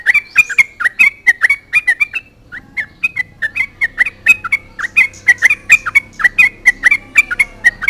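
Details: Sooty-headed bulbul singing hard to provoke rival bulbuls into answering: quick repeated warbled notes, a short break near the middle, then a long steady series of chattering notes over a faint low hum.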